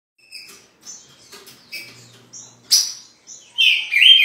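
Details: Green-winged saltator (trinca-ferro) in Rio de Janeiro state, a newly acquired bird said to be singing weakly. It gives scattered short chirps and thin whistled notes, then closes with a louder rising whistled phrase.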